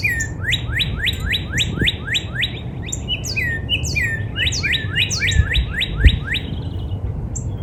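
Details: In spring in a backyard with yellow flowers, a Northern Cardinal sings a fast run of clear, down-slurred whistles, about three per second, then a quicker jumbled phrase; higher chips from another bird and a low outdoor rumble sit behind it.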